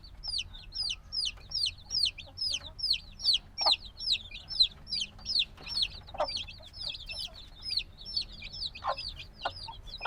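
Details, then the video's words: Black baby chickens only days old, very noisy and wanting the mother's warmth, give steady high peeps, each a short falling chirp, pouring out in quick overlapping series with a few soft clicks beneath. "Baby Chicken Sounds - Baby Chicken Chirping Noises"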